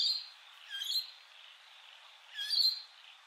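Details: Rainbow lorikeet parrots at Heatherdale Wetlands: two harsh, shrill screeching bursts about one and a half seconds apart over a faint steady insect hum.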